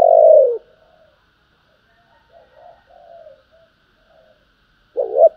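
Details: Spotted dove in the calling and urging coo styles: one long falling coo, then soft low murmuring coos, ending with the start of a wavering coo phrase.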